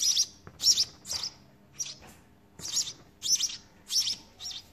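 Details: House sparrow nestlings begging as they are fed in the nest by a parent: high, sharp chirps in short bursts, repeated about twice a second in uneven clusters with brief gaps; faint low hum behind.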